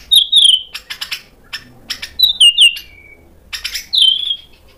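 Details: White-rumped shama provoked by a lure recording into eager singing that displays its mimicked repertoire: loud whistled phrases dropping in pitch, interspersed with rapid dry clicking notes and brief silences, ending on a bright descending whistle.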